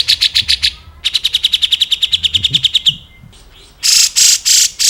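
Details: Grey-cheeked bulbul song, clear and sustained, played as a vocal tutor for shamas, leafbirds and magpie-robins. Rapid, evenly spaced high chips run in two long bursts, then end in loud, harsh, rasping blasts.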